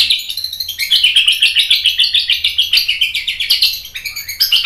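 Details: White-rumped shama training recording meant to stir a response. Dense, rapid twittering of sharp high notes runs almost continuously for several seconds, with only a brief dip near the end.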